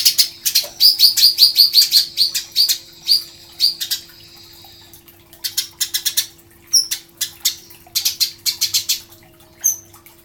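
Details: Eurasian tree sparrow chirping, a master song for training songbirds: dense runs of high, clipped chirps, a rapid ticking series early on, then looser irregular chirps over a faint constant hum.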